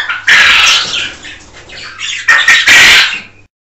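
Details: Male quail calling to his hens: a loud, harsh, buzzy burst of notes, a softer raspy stretch, then a second pair of loud, squawky bursts before the sound stops abruptly.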